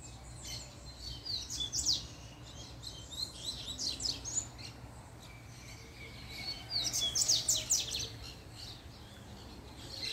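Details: Double-collared seedeater, a caged male excited by the sight of a female, delivering quick high twittering phrases of sweeping notes and short trills, with brief gaps between bursts and a faint low background hum.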